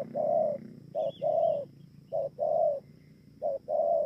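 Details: Spotted dove at Bờ Y in Kon Tum, 28 November 2017, delivering three hoarse short-long coo pairs at a steady pace, with a faint high chirp from another bird between them.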